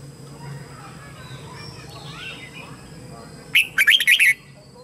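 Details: Lure red-whiskered bulbul singing to draw wild birds in for a fight; after a quiet stretch of faint murmurs, one loud burst of rapid, slurred chirping notes comes near the end.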